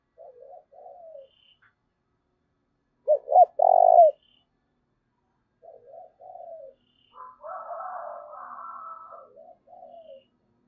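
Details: Spotted dove coos to draw in wild doves. Soft, muffled coo phrases frame one strong sequence of two short notes and a long vibrating coo. A hoarse, broader murmur follows midway.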